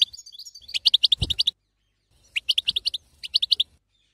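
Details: Female European goldfinch chattering, the local batbata style that encourages the male to sing: rapid clusters of high, clipped chirps in three bursts divided by clean silences, with one soft low thump.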